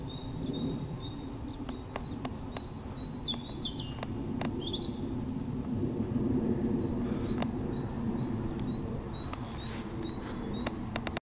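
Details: A short-toed treecreeper at Perekker in March 2018 gives thin, very high, sharp calls scattered through the clip, while a steady low roar of wind or distant traffic runs throughout.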